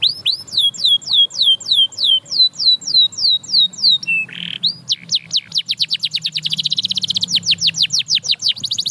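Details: Canary singing to spur others to sing again: evenly spaced looping whistled notes, a brief harsh rasp, then sharp sweeps quickening into a very fast, dense high trill.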